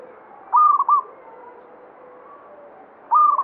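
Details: Local Javanese zebra dove singing in the banyumili style, a bird whose song local belief links to good fortune; loud high cooing phrases of clipped, stepped notes, one near the start and another about two and a half seconds later, over faint background calls.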